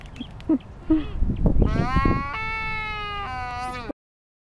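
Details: Waved Albatross on the Galapagos Islands, where serenade calls and mating dances are shown: a few dry bill clacks, then a drawn-out nasal, bleating moan held about two seconds before stopping abruptly.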